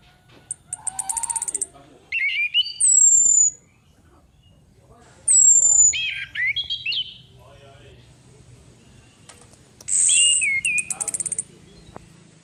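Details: Female orange-headed thrush lure calls: three phrases, each a buzzy high rattle or sharp descending high whistle followed by slurred, twisting mid-pitched whistles, spaced a few seconds apart.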